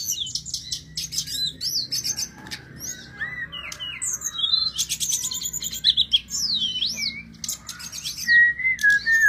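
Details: Energetic sulingan gunung song, recorded as a training track for teaching other birds to sing; clear whistled slurs rising and falling, some zigzag phrases and fast chattering notes, ending on a long steady whistle.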